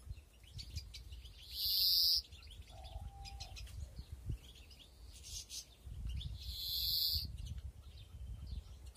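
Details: European greenfinches breeding in a flight aviary with nests in 2021: two long, drawn-out nasal wheezes, each about half a second, at roughly two and seven seconds, with faint twittering and low background rumble between them.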